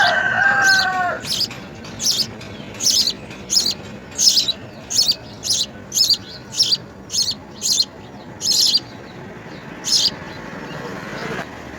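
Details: House sparrow young begging while fed insects: an opening clear tonal phrase, then a long series of scratchy high-pitched begging notes pulsing about every 0.6 seconds.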